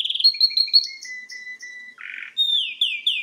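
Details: Pet canary singing indoors in front of a television, delivering rapid high trills and rolls, a buzzy burst, then sweeping descending whistles repeated in quick succession.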